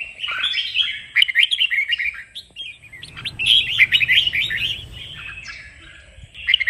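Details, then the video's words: Song of a red-whiskered bulbul for training birds to sing and compete: dense chattering warbles of quick slurred notes, a pause near three seconds, then another loud burst of twittering phrases over faint low hum. "Luyện chào mào hót| Chào mào kích bổi-KÍCH BỔI CĂNG ĐÉT DỄ CHÉ.sổ giọng, Cách luyện chào mào hót"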